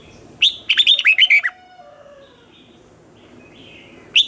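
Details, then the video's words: Red-whiskered bulbul giving a morning song in the twisted 'giọng xoắn' style used to train young birds for competitive singing: one quick burst of six bright, bouncing whistled notes, bracketed by single sharp chirps. "luyện chào mào hót sáng, Giọng xoắn hay dùng để ép bổi, Má trắng học giọng rất hay, chào mào hót đấu"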